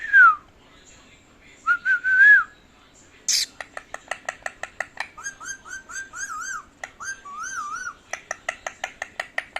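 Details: Talking pet parrot indoors mixing sliding whistles with a rapid string of clipped, speech-like syllables and warbled, wavering whistled notes, in a small room.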